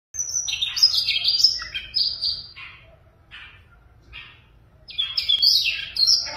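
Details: Caged, tame Siberian rubythroat singing: bursts of varied, high twittering and warbled phrases with short whistled notes, a quieter pause of scratchy fragments in the middle, then a renewed loud run; low background hum throughout.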